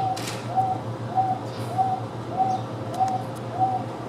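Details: Houston Zoo Wonga pigeon, living alongside Taveta weavers, repeats a monotonous hollow coo seven times at a steady pace of about 0.6 seconds, against a low mechanical hum and a few faint high chirps.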